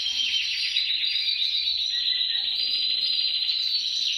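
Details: Canary song meant to make canaries sing: a continuous sustained rolling trill, quickly pulsed and nearly level in pitch, loud throughout.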